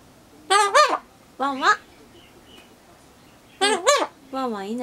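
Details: Indoor Solomon Islands cockatoo copying a nearby dog's 'wan-wan' barking; loud doubled nasal bark syllables, a pause, then another double and a drawn-out wavering note.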